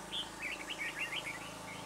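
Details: Red-whiskered bulbul singing as a trap decoy at Chua Huong, Vietnam, to draw in wild birds: one bright, quick, looping warbled phrase of rolling whistled notes, loud and clear over a soft hum.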